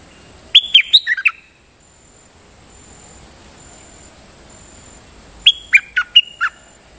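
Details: Decoy bird song in two short phrases a few seconds apart, each a run of five or six sharp, high chirps that slide downward, with a thin steady hiss between them.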